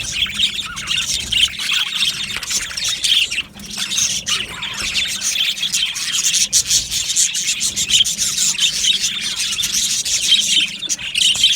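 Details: Colony of Australian budgies kept in an aviary, chirping and warbling continuously, with many overlapping squeaky notes and occasional sharper squawks standing out.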